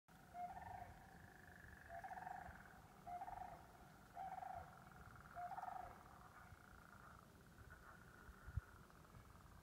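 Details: Sandhill crane at Cherokee Marsh in spring giving five rolling, trumpeting calls about once a second, followed by a fainter, drawn-out call over a steady low rumble.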